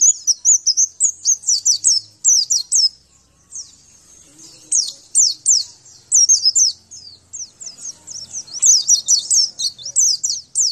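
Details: Javan white-eye song from a master training recording meant to make a quiet bird answer and sing again: high, thin twittering in fast bursts of sharp downslurred notes, two short pauses, clean background.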